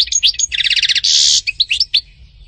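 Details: European goldfinch song: bright twittering notes lead into a fast rattling trill, then a harsh buzzy note, followed by a few sharp, sliding chirps.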